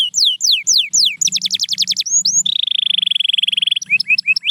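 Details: A canary sings varied phrases: falling whistles, a burst of fast notes, a long flat buzzing trill, and closing quick rising chirps. A soft low hum runs underneath.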